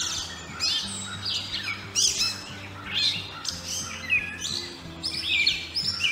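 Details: A Gray Catbird in woods in Delaware, a bird that sings almost constantly, gives a steady, jumbled run of squeaky, scratchy high phrases with hardly a pause, over soft background music.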